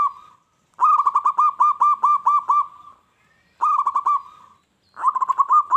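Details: Zebra dove, a local bird singing strongly to provoke wild doves into answering aggressively, gives three bursts of quick, rolling coo notes, each a string of ringing arched notes that fades into a soft drawn-out tone.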